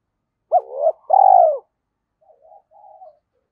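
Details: Spotted dove coo used as a lure call in Vietnam: a short hooted note, then a long, low, slightly rolling coo, followed by a few faint, softer notes. No other sounds.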